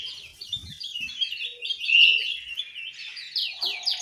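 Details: Soft, continuous warbling song from an orange-headed thrush in an aviary in Malang, East Java: quick chattering notes with one clear whistle at the middle and a few faint thumps.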